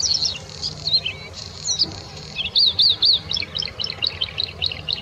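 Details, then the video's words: Singing bluethroat at the Offstein clarification ponds: high chirps, then a string of ringing up-and-down whistled notes repeated several times in quick succession. "Blaukehlchen singt"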